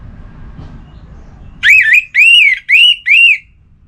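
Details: Orange-headed thrush singing a relaxed song used to stimulate other kept birds. After quiet low background hum, four loud, clear whistled phrases follow in quick succession, each arching up and down, slightly slurred, separated by short pauses.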